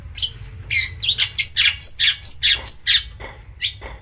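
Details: Long-tailed shrike singing to provoke other shrikes, with harsh shots and imitated master-bird notes: a fast series of grating chirps and short slurred whistles, about three per second, after a faint low thin whistle.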